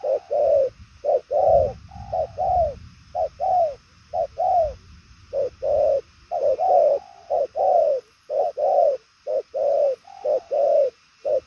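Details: Spotted dove of the purple-legged 'đồng son chân tím' type, cooing strongly in a fast, far-carrying patterned style; mid-pitched hoarse coos, some rising then falling, given in quick bursts of two or three with short gaps, steady and loud.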